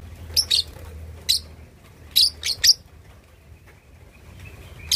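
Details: Young lovebird, two and a half months old, practising its ngekek chatter, suited to provoking rival birds: sharp, shrill high chirps given singly and in quick pairs, with gaps of up to two seconds between bursts over a low background hum.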